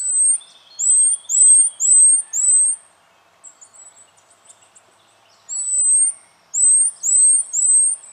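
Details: Spotted quail-thrush (Cinclosoma punctatum) in Victoria, Australia, January 2012, giving very high, thin, sharply rising notes in quick runs of four or five, with a pause between runs and faint lower bird notes behind.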